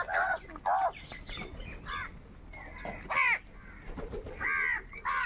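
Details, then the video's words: Crows calling over food, harsh arched caws with rich harmonics in short bursts, several birds overlapping, loud calls near the start, middle and end with quieter calls between. "Crow bird unity anger and sound for food"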